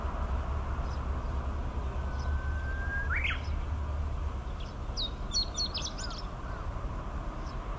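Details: Chestnut-eared bunting singing in Hanaizumi, Iwate Prefecture, Japan, on 10 July 2019: a brief jumbled burst of high, sharp chirping notes late in the clip, after a lower drawn-out tone, over steady low rumble and broadband background hiss.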